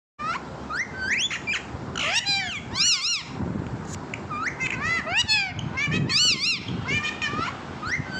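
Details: A pet parrot talking: a run of loud, harmonic-rich calls with arching, speech-like pitch contours that rise and fall in quick bursts, then gaps and softer squeaks, over faint room noise.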